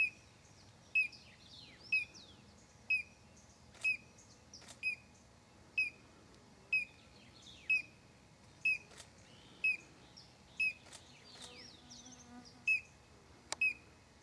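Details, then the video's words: Collared crescentchest in São Desidério, Bahia, north-east Brazil, recorded in December: a loud brief down-inflected note repeated roughly every second for the whole stretch, with scattered high squeaky calls from other birds. "Collared Crescentchest - Tapaculo-de-colarinho - Melanopareia torquata"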